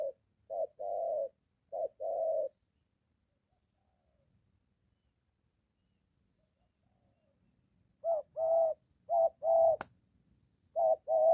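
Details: Near-home encounter between a moulting decoy spotted dove and a wild one: a burst of paired low coos, about five seconds of silence, then another run of coos with a sharp click among them.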